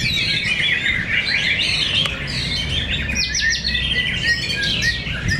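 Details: White-rumped shama fighter birds in a fierce fight at Cibinong, Indonesia: rapid, overlapping whistled and chattering phrases, rising and falling sweeps, with a steady low hum and a single sharp click.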